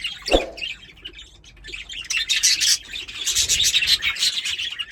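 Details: A pair of pet budgerigars: a low thump, then rising chatter of fast, buzzy high chirps that becomes dense and continuous.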